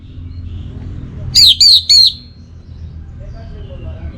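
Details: Orange-headed thrush giving three clear, high, slightly descending whistled notes in quick succession, then falling quiet against a steady low background rumble.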